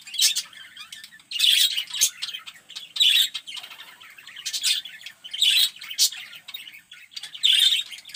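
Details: Zebra finches in a small aviary, carrying nest material, give loud nasal buzzy honking calls in bursts roughly every one to two seconds, with softer chattering between them.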